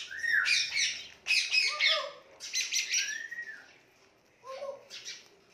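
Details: Pet Indian ringneck parakeet making cute noises: harsh, buzzy squawks in bursts, with short down-slurred whistled notes between them, in about three groups across the few seconds.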